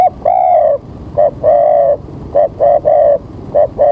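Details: Loud, close spotted dove calling during early-morning bird trapping under rainy skies: a long coo, then repeated phrases of paired short notes and longer steady coos, roughly one phrase per second.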